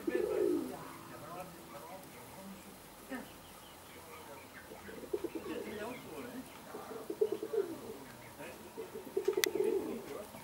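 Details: Fancy Indian Fantail pigeons in Alkmaar, Holland: a strong rolling coo opens, then quieter stuttering coos follow, with two louder bubbling coos toward the end.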